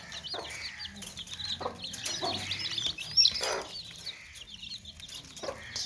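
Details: Baby chicks in a basket, hens clucking among them: soft, continuous high peeping, with several scratchy clucks and rustles scattered through.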